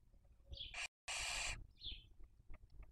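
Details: In Cabañeros National Park, Spain, a barn owl raising young during the 2023 breeding season gives a loud rasping hiss broken by a short gap, followed by a soft squeaky note and faint ticking.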